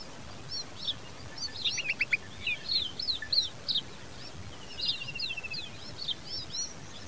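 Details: Common babbler chicks being fed by their mother: excited bursts of high, quick chirps and short rattling trills, overlapping in clusters, over faint background noise.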